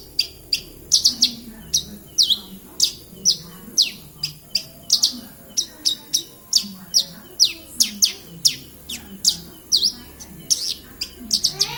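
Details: Javan bush lark in Kediri keeps up a long, lively sequence of piercing high chirps and down-slurred whistles, delivered two to three per second and occasionally doubled. A soft low murmur runs underneath.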